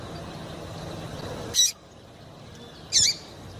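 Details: Double-collared seedeater female calling to excite a male: two brief, very high, sharp chirps about a second and a half apart, with a faint background hiss.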